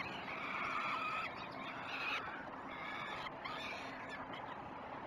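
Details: At 06:09 on 29 May 2018, peregrine falcon chicks on the Great Spirit Bluff nest cam give loud rasping, harmonic cries while being fed their first breakfast, in bursts separated by brief pauses, with constant hiss behind.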